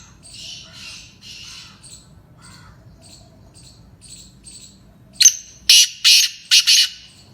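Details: Faint high chirps of other birds lead in. Then the Sindhi black francolin (Kala Tetar) breaks in with a loud grating call: a clipped first note followed by a cluster of harsh, paired notes.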